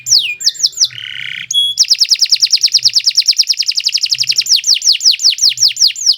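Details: Long-singing canary used as a master song for tutoring birds: a few quick downswept notes and a short nasal buzz, then a sustained, very fast rattling trill slowing into separate descending whistles.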